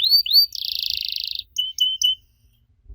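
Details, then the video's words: Brief canary song used to prompt young canaries to answer: two looping whistles, a dense buzzy roll, then three short clipped high notes, with silence after. "Kenari Muda pasti nyaut kalo denger suara aneh kenari ini"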